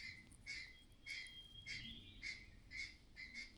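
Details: A mother myna acting strangely gives harsh, clattering alarm notes, each a rasping burst about twice a second, steady and insistent, possibly signalling danger nearby, over a faint low hum.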